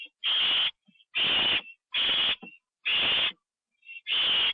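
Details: Owls at a nest, 9 October 2011, 9:54 PM, where a bird was delivered and eaten; five grating, breathy screeches about a second apart, with faint brief squeaks in the gaps.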